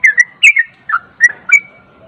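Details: Yellow-vented bulbul in a cage giving lively 'ropel' song meant to provoke a silent bird into singing: five bright, bubbling whistled bursts with short gaps, ending on a held rising note.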